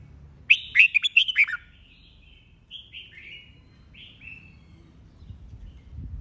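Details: Red-whiskered bulbul singing competitively in 'bọng' style, an old wild-caught bird. Opens with a loud cluster of sharp, chattering notes, followed by a run of softer, descending warbled phrases.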